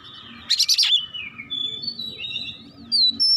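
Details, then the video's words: Agitated oriental magpie-robin giving a burst of harsh buzzy notes, followed by soft thin whistles and a faint high note near the end. "KACER GACOR MEMANAS NAIK EMOSI BONGKAR ISIAN"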